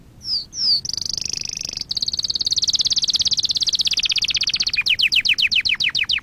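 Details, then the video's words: Lesson song of a canary, meant to excite and train other canaries: two short slurred notes, a long rapid high trill, then a quick series of about ten sharply falling notes. "Kanarya ötüşü- Kanarya dersi-kanarya coşturma"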